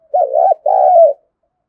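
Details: Spotted dove cooing to provoke rival males: a stuttering, rolling first note runs into a long, smooth, gently descending coo, low and soft, with no background noise.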